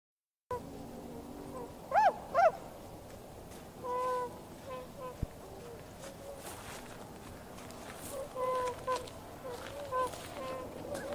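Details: Tundra swans on water, juveniles among them, recorded on 31 January 2016 with a camera and external microphone: two clear nasal hooting calls in quick succession, then scattered softer hoots and a long low note over quiet ambient noise.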